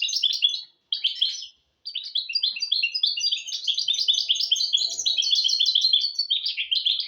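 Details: A hybrid mule of goldfinch and canary sings short opening bursts separated by two brief gaps, then a long flowing sequence of high twittered trills and chirps; faint low tones in the background. Intended to train goldfinches and canaries.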